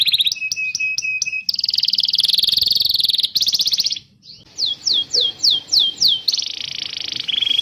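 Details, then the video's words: Training song of a canary for teaching young birds and stimulating non-singing ones: sharp clipped notes, a dense buzzy roll, a brief pause, then a series of swooping whistles ending in a trill. "Suara burung kenari gacor Pancingan kenari paud kenari macet bunnyi"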